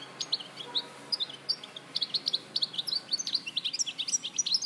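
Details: Recorded in Larache, Morocco, in 2014, a European goldfinch sings rapid bright twittering notes, growing denser and louder toward the end.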